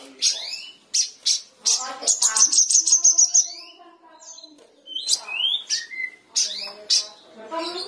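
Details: Energetic sooty-headed bulbul song aimed at stirring a silent bulbul: sharp staccato chips in a rapid, even burst, then rising whistles and mellow lower notes.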